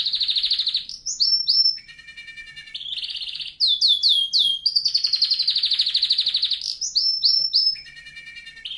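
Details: Canary song used to train canaries: rapid trills, pulsed buzzy rolls, a run of fast downslurred notes, and high flat whistles, phrases changing roughly every second in a continuous stream.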